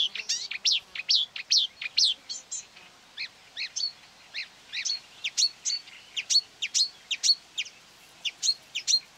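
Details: Agitated marsh warbler, attracted by playback of its own song near quarry workings in May 2020, sings to drown out a mobile phone. The song is a steady run of sharp, high, chattering notes repeated about twice per second.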